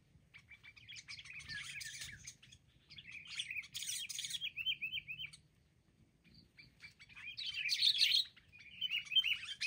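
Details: Several wild sooty-headed bulbuls attacking together, later caught: long spells of scratchy, bubbling chatter with wavy rolling notes, a quiet gap near the middle, then a loud dense burst of overlapping calls.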